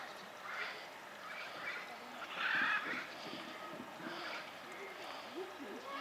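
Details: Greater flamingos (Phoenicopterus roseus) at Opole Zoo, Poland, give nasal, goose-like honks in loose bursts every second or so, over a steady murmur of flock chatter.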